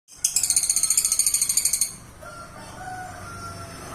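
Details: Lovebird singing in the ngekek style: a rapid, harsh rattling trill of about sixteen buzzy pulses lasting over a second and a half, followed by quiet with faint distant whistles.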